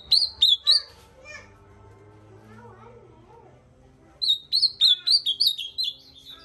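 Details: Ultramarine grosbeak song: three bright slurred whistles open the recording, then a pause with faint low murmuring, followed by a quick run of about eight downward-sliding whistled notes.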